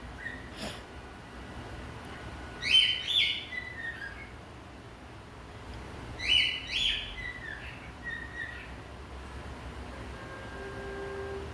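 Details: A male cockatiel sings and dances beside his favourite branch, giving two short bursts of bright, warbling whistles a few seconds apart.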